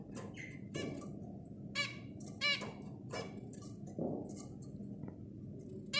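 Zebra finches give short, nasal, buzzy honks and harsh chattering notes in quick irregular bursts, over a steady low background hum.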